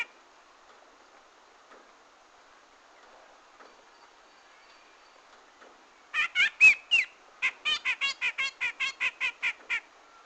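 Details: Grey-cheeked bulbul song played to lure birds for trapping. Near silence opens, then a series of loud rasping bursts with one short whistled note, coming in quick succession for about four seconds.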